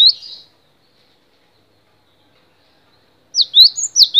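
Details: Cinereous tit (gelatik batu), long-duration tutoring song. A brief high whistle opens, then silence, then a quick run of sharp, slurred two-note whistles near the end.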